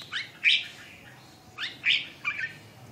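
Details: Red-whiskered bulbul, described as a phong sơn, mí đỏ, rơm tê giác bird in siêu ché singing style, gives a few short, bright, warbling phrases spaced about a second apart, fairly quiet against a low background hiss.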